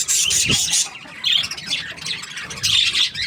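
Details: Chirping budgerigar, said to be happy: a loud burst of raspy chatter, a quieter stretch of thin squeaks, then another harsh chattering burst.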